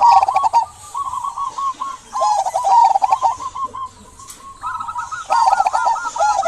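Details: Local zebra dove singing vigorously, used to coax quiet doves into song: bursts of rapid, rolling coo notes looping near one pitch, pausing around four seconds, while small birds chirp and twitter high above.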